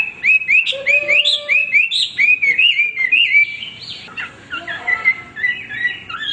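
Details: Hwamei male singing continuously, rolling series of upward-sweeping whistles followed by varied twittering and slurred notes.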